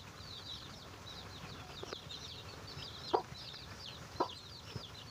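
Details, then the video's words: Chicken finding food for its chicks. Sharp clucks sound about once a second, loudest near the end, beneath continual high, sliding peeps from a group of chicks. "Chicken find a food for their baby"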